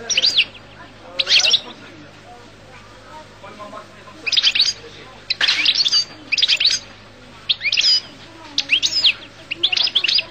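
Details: Goldfinch of the Collo kind giving separate bursts of high, scratchy twittering, several clustered phrases with irregular short gaps between them.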